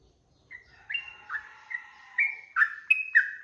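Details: Sooty-headed bulbul 'ropel' song recorded for training cage birds to sing. After a brief silence, softer warbled notes begin and build into louder, sharper chirps stepping between two pitches.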